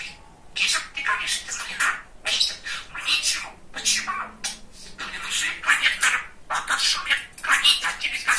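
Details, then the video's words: Talkative, funny male budgie speaking indoors: near-continuous high, raspy chatter of rapid word-like syllables, run together in phrases with short breaks, steady in loudness throughout. "Волнистый Попугайчик разговаривает"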